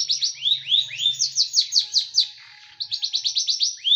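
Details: Tight, sharp bursting song of a small bird, meant as tutoring for pet birds: fast strings of high downward-sweeping notes in two rapid runs, a brief pause between them, faint low hum.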